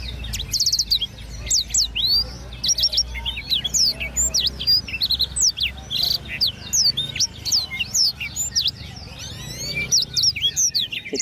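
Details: Competition blackthroat kept as a cage bird, delivering a rhythmic, highly varied song: rapid high slurred whistles, chips and brief trills in continuous bursts, with a faint low hum and some speech beneath.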